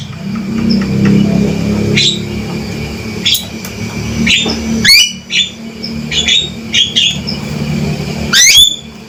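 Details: A male Javan myna calls sharply and boldly: scattered shrill squeaks and rising whistles, growing denser toward the end with a final loud burst, over a background low rumble.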